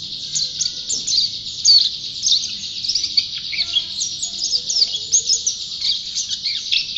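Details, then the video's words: White-eye, known locally as pleci, praised as a champion in full song; a high, thick, nonstop warble of fast chirps and trills that keeps up a steady, buzzing intensity. "Burung Pleci Juara Gacor"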